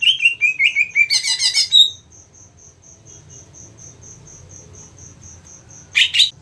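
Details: Green leafbird (cucak ijo) in a song-contest setting. Sliding whistles lead into a dense, harsh, buzzy chatter. An even train of thin high pips follows, then a short, scratchy burst sounds near the end.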